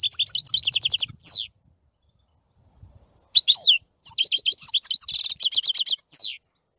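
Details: European goldfinch singing: quick, high, liquid twittering phrases of tinkling notes and trills, ending in a falling slur, with a pause of about two seconds between the two bursts of song.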